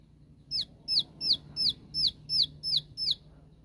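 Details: Shooting-style ('tembakan') song of a bar-winged prinia calling out rivals: eight crisp, high downslurred notes at an even pace of about three per second over low background hum.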